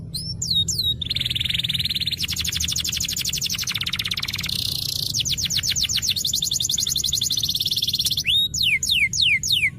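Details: Canary singing in a master recording meant to prompt silent canaries: a long, continuous run of rapid rolling trills and rattles, changing pace every second or two, framed by sweeping whistled notes at the start and end.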